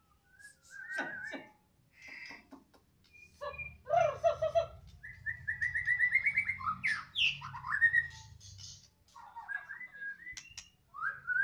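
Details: Caged White-rumped shama from Medan singing loudly: varied whistled phrases, rising and falling notes and rapid trills, with a low hum underneath.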